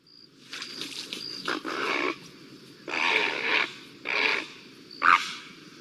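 A Great Blue Heron gives a series of harsh, grating squawks, each under a second long.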